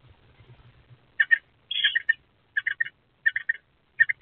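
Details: Two eastern screech owlets in an owl box, 23 April 2024, give short, scratchy squeaks in quick groups of two or three, about every half second to second, after a low rumble at the start.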